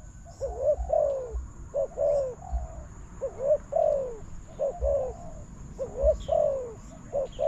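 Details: Spotted dove responding to a decoy during trapping, new trap enclosure in use; steady series of hollow two-note coos, short lead note and falling longer note, recurring about every second with low background rumble.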